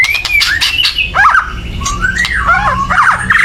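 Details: Loud, agitated chatter from a white-rumped shama, meant to stir other birds to sing: sliding whistles and bent notes over harsh clicking, dense and unbroken, with a low background hum.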